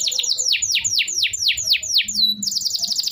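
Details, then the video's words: Canary singing, meant to prompt canaries that stopped singing: a series of loud descending whistled notes about twice a second, a short level whistle, then a quick high trill. "kenari gacor panjang Cuit Cuit EMOSI, Pancingan Kenari Paud Belajar Bunyi, terapi AMPUH Kenari MACET"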